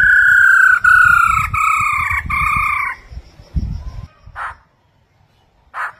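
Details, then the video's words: Female Chinese hwamei calling 'ro ro' to stimulate males: a strong, sustained harmonic note lasting about three seconds with slight breaks and a gentle downward slide, followed by two short separate notes and low background rumble. "Khướu mái ro ro kích trống hót căng mỗi ngày"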